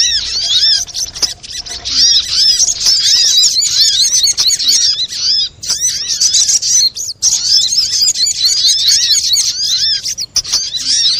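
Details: Sunbird lure recording, sogok ontong, used to bring birds close and make them sing. Nearly continuous, high, scratchy twittering and chirping runs throughout, with only a few brief pauses.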